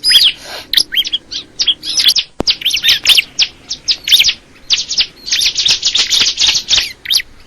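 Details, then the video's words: Crystal ciblek song: rapid, high-pitched chattering trills and quick whistled slurs in short, busy phrases, growing into a sustained rattling stretch near the end, with one sharp click midway. "the sound of the crystal ciblek bird"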